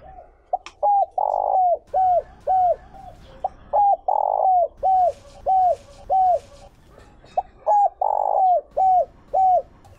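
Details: Spotted dove decoy bird with the Chiêu Ba Hậu call, meant to draw in wild doves: repeated soft hooked coos broken by three drawn-out, rougher coos, with faint chirps in the background.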